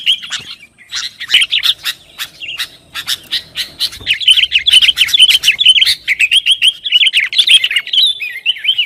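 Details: Sooty-headed bulbul in lively, nonstop song meant to provoke rivals and prompt kept birds to sing; dense runs of sharp chirps and rapid warbled phrases, nearly continuous, growing busier and more tangled in the second half.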